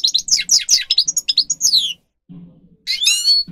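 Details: Grey-crowned goldfinch singer on a training recording: a quick burst of descending twittered notes and sweeps, a short pause with low hum, then a final bright rising-and-falling warble.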